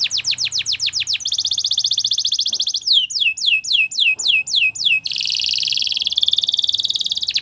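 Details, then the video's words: Belgian canary in full song, alternating quick falling whistles with long rattling trills: a dense trill near the start, a phrase of slower descending sweeps, then a harsh, rapid buzzing roll held to the end. "Belgian Canary Singing"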